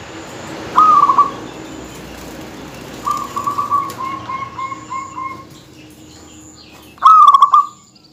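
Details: Local zebra dove, a lively singer, coos to provoke and tease rival birds: three bursts of warbled, trilling coos near one pitch, the first and last loud, a fainter stuttering run between them, over a quiet hiss.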